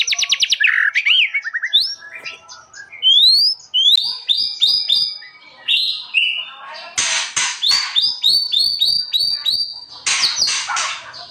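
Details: Master song of an actively singing white-rumped shama: varied whistles and upslurred notes give way to repeated short clicking phrases and strong rapid note series, loud and bright throughout.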